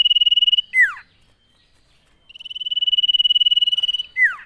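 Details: Energetic common iora song, used to provoke other ioras into singing: a level pulsed whistle ends in a swooping drop, then after a brief silence a new two-second trill rises in volume and closes with another falling note.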